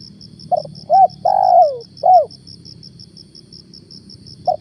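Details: Spotted dove used as a lure bird on a morning outing; one full four-part coo phrase with a long sliding middle note, then a lone short note starting again near the end, with rhythmic cricket chirping throughout.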